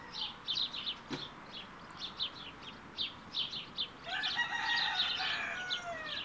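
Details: Week-old Smew ducklings with their mother give high, thin peeps in quick bursts of two or three. A longer, harsher drawn-out call joins them in the second half.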